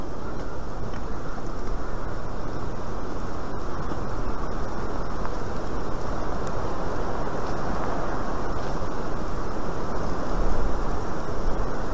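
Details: Steady low rumbling noise like wind or distant traffic, with no animal calls standing out.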